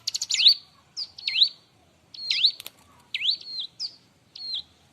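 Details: Bar-winged prinia in full, busy song, used as a tutor recording to train and provoke other birds: loud, sharp whistled notes sweeping down then up, delivered in quick bursts of chips and slurred whistles about once a second.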